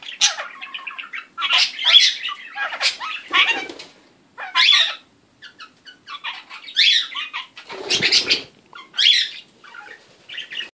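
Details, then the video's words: A pet kakariki (New Zealand parakeet) making weird noises chatters in quick, harsh, scratchy bursts and squeaky notes with brief pauses, mixed with a few soft thumps like wing flaps. "Kakariki parrot funny noises"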